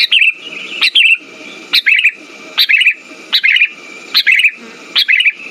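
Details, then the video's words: Sooty-headed bulbul song played as a lure to stimulate silent birds. Short bright chirpy phrases repeat about every 0.8 seconds, each a sharp upward note followed by a bubbly twitter, over a steady background hum. "Pancingan burung kutilang macet"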